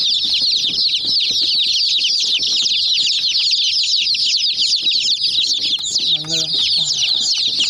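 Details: Chicken chicks attacking a toy jeep keep up a loud, continuous chorus of high chirps. Near the end a single lower, harmonic clucking note briefly rises beneath the peeping.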